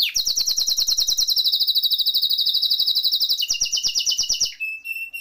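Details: Canary song used for training birds: a long, fast buzzy trill of rapidly repeated notes held steady for over three seconds, then a lower trill and a brief thin whistle.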